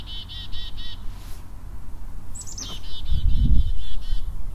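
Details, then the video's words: A chickadee gives its chickadee-dee-dee call, often an alarm call at predators such as owls and hawks: a high, thin opening note, then a quick run of buzzy, harsh "dee" notes, over low rumbling background noise. "if you live in a place that has chickadees, then you're probably already familiar with a particular call that they have, which is their name saying call, the chickadee-dee-dee call."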